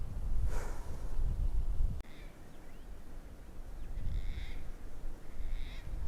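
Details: Gang-gang cockatoo giving a few short, creaky, rasping calls spaced over several seconds, in spring in the fire-blackened Ettrema Wilderness, Australia, over heavy low wind rumble and handling noise.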